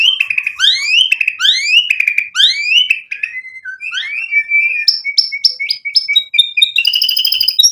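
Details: White-rumped shama singing a full varied song used to rouse rivals to reply: rapid rising whistled sweeps repeated in a run, then level whistles and sharp chipping notes, closing with a harsh buzzy rattle.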